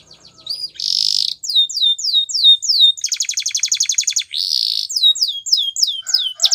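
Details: Training song of a Spanish Timbrado canary, alternating dense buzzy bursts with series of quick falling whistled notes and a rapid metallic rattle, all high-pitched and continuous.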